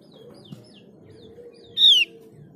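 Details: Used as a lure for other white-eyes, this Mees's white-eye gives one powerful downward-gliding whistle after several soft, short chirps, over a constant low background hum.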